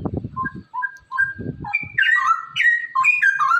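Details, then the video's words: A straw-headed bulbul sings clear, liquid whistles building into a loud, rich, bubbling warble, with low rumbling bursts at the start; the song is meant to stimulate reluctant bulbuls to sing. "merangsang cucak rowo malas bunyi agar rajin bunyi"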